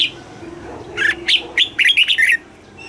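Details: Red-whiskered bulbul song in the southern master style, played to excite caged birds and teach young birds: a quick phrase of bright, slurred whistled notes, some rising and some falling, over a faint low hum.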